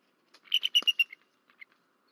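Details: Male bald eagle calling at night from a nest at Berry College, Rome, Georgia, 13 March 2024, after the female on night duty was disturbed just after midnight; a quick burst of five high, thin chittering notes, then a few fading softer peeps.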